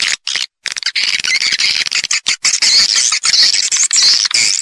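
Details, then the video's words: Swiftlets heard calling and roosting, stereo: after two short silences, a thick stream of high, buzzy chattering with scattered clicks runs on steadily to the end. "suara wallet-suara walet panggil + inap stereo-Suara Walet Original Bersih Plus Jernih"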